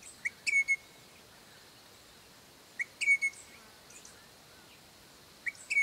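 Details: A long-resident pair of crimson rosellas call their young, giving clear ringing whistles in quick bursts of two or three notes roughly every two and a half seconds, over faint background hiss.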